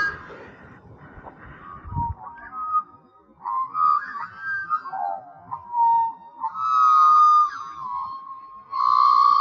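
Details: One of a friendly pair of Australian magpies, female and male, singing clear, fluty whistles that slide and warble through mid pitches, with some notes held and bending. A few soft room noises come at the start.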